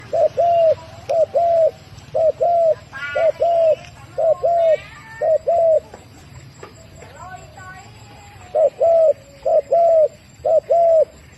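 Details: Turtle dove cooing: short mellow paired coos on one low pitch, given in groups of two or three about once a second, with a pause midway; faint chirps from other small birds and a quiet background hum.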